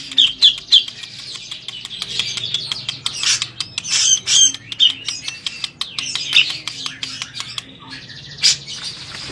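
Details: Grey-cheeked bulbul singing during a bath, meant to get other birds to answer: dense jumbled chirps and harsh chatter with quick clicking notes throughout.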